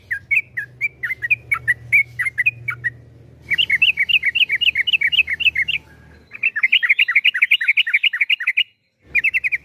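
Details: Yellow-vented bulbul (trucukan) singing a long rapid 'ropel panjang' style song: bubbly, slurred chirping notes in quick runs, then a faster, tighter series of repeated notes, with a low hum underneath.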